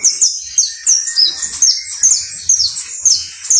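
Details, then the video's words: Saffron finch (canario basto criollo) delivering bright, piercing chirps that drop sharply in pitch, about two each second, interspersed with softer twittering. "UN CANTO INCREIBLE DE CANARIO BASTO CRIOLLO (FANTASTICO)"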